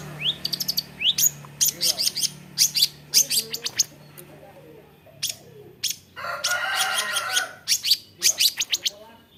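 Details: Varied mimicking song of a long-tailed shrike (cendet): upward-sweeping whistles, rapid high ticks and chattering trills, then a dense buzzy burst before more quick notes.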